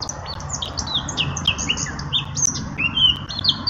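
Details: Eurasian blackcap singing: a fast, varied warble of short clear whistled notes and slurs, high-pitched and tumbling, with a low background rumble.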